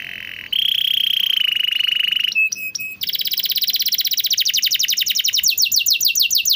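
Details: Canary song used as a training recording for canaries that sing rarely or have stopped: a steady high trill, a brief clicking break, then fast buzzy rolls and a series of rapid rising sweeps repeated several times a second.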